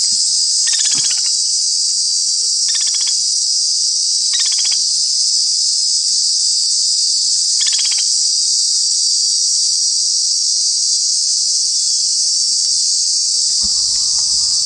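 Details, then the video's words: White-naped woodpecker in Kanha National Park, Madhya Pradesh, India, giving four brief rattling bursts of rapid notes in the first eight seconds, spaced about two seconds apart, over a constant loud, high-pitched cricket chorus. "Bird calls 09 - White-naped Woodpecker"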